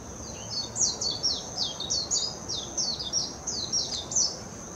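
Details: Warbling white-eye singing in Hashimoto, Wakayama Prefecture, Japan, on 26 June 2021: a rapid, continuous high twittering warble of short descending and looping notes, sustained for nearly five seconds, with a faint steady high hiss behind it.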